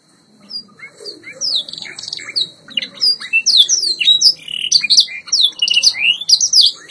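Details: White Yorkshire canary singing on a training recording: varied chattering warble of short swept notes and twitters, building in loudness and density, with some lower soft notes beneath.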